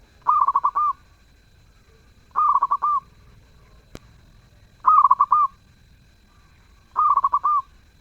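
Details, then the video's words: Melodious zebra dove song in full voice: four phrases repeated roughly every two and a half seconds, each a rapid run of soft, hollow coos ending in a held note, over a quiet background with one sharp tap. "Perkutut gacor suara merdu"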